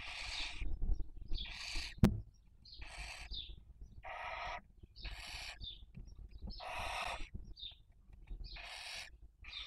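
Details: Barn owl filmed by a nest webcam in Cabañeros National Park, Castilla-La Mancha, Spain, during the 2023 breeding season while raising young; long harsh rasping hisses about one second each, repeated roughly every 1.5 seconds, with short higher squeaky notes between.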